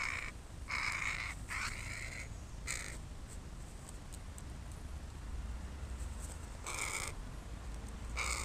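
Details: Crows caw while playing on a person's body as a playground; harsh, hoarse caws come in short bursts, two close together early on, then a long gap before more near the end, over low rumbling background noise.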